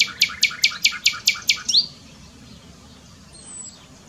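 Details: Nightingale song from Dohr, Eifel, Germany: eight loud, evenly spaced notes in quick succession, closing with a brief rising flourish, then quiet background.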